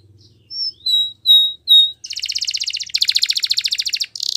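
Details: Spanish Timbrado canary training song: a few clear, high whistled notes, then fast, buzzy rolling trills, with a faint low hum underneath.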